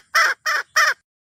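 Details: Three short, rasping clucks from a wild red junglefowl hen calling to the rooster.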